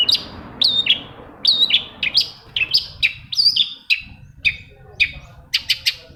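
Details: Long-tailed shrike song for prompting reluctant shrikes to sing: a rapid run of high chirped and whistled notes, many with a hooked downward inflection, about two per second, over a faint low hum.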